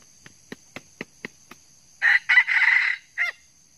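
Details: Red junglefowl during wild-junglefowl trapping, where an old bird was struck by a spur: six sharp beats a quarter-second apart, then a hoarse broken crow cut off abruptly, over a steady high insect whine.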